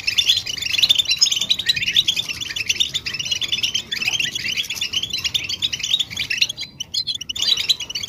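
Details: European goldfinch readiness and mating calls for prompting males to sing: a busy run of quick twittering chirps and short trills that drops briefly into a clipped, scratchy pause near the end before resuming.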